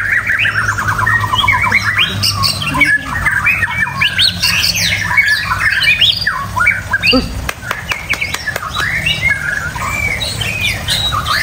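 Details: White-rumped shama in full song with loud harsh squawks, rapid trills and swooping whistles packed densely together, a brief click burst midway, and a steady low hum beneath.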